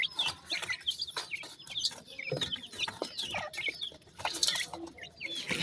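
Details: Pheasant chicks calling to their mother amid feeding: quick high peeps and short chirps in irregular clusters, mixed with frequent sharp clicks, pecking taps and rustle, with a brief quieter gap midway.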